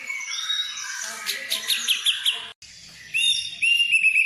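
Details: White-rumped shama song used as a lure to stimulate other birds to sing, full of fill-in phrases: bright varied whistles and chattery notes, a brief break, then clear high whistled notes repeated quickly.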